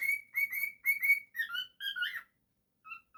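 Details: Cockatiel at home giving bright high whistles in rapid succession, then dropping to lower, sliding notes, a pause, and two faint closing whistles.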